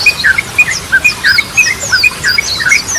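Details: Yellow-vented bulbul singing, used to prompt birds stuck from stress into song: bright, slurred, squeaky notes about every quarter second, mixing rising and falling whistles in an irregular chattering pattern.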